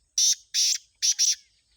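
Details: Black francolin calling near Khushab: four loud, harsh, grating bursts, the first two spaced apart and the last two run close together, over an otherwise quiet background.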